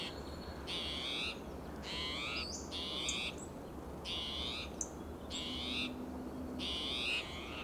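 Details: Spotted towhee repeatedly sounding alarm in Del Monte Forest, California, on a June morning, with another towhee nearby answering more softly; seven coarse, buzzy mewing calls about a second apart, a few thin high notes between them.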